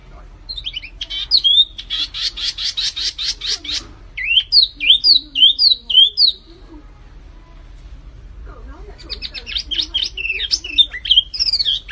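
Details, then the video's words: Flamboyan bird in loud, energetic song: a harsh rattling burst, then a rhythmic chain of high upslurred whistles, and a closing jumble of scratchy and whistled notes. "SUARA BURUNG MIRIP FLAMBOYAN GACOR"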